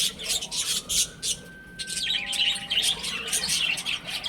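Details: Chicks at home cheep busily in quick, irregular bursts of high chirps, while a steady tonal hum runs beneath the flock for about a second midway.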